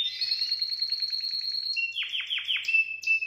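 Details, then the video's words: Canary mating song to stimulate females: a rapid buzzy trill of evenly spaced notes, then four loud downward-swooping whistles and a sustained pure whistle, bright and high throughout. "Chant canari pour accouplement"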